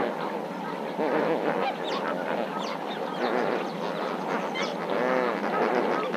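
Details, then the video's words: Lesser flamingo flock at Marievale: many overlapping goose-like honks and gabbling notes form a steady, busy chorus, with some clearer harmonic calls standing out near the start and end. "Lesser Flamingo - Marievale"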